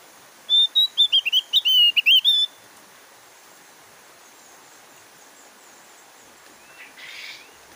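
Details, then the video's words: Javan grey-throated white-eye, a caged songbird, delivers a brief run of high, clear whistled notes lasting about two seconds, followed by quiet with faint background hiss. "SUARA OPIOR JAWA GACOR"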